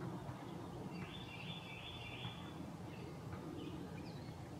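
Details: Great crested flycatcher calling in forest treetops: one drawn-out, rolling, buzzy high note lasting about a second and a half, then faint short chirps, over a steady low background rumble.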